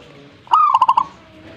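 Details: A single zebra dove phrase: a clear rising coo that flows straight into four rapid, bubbling notes, ending abruptly against a quiet background.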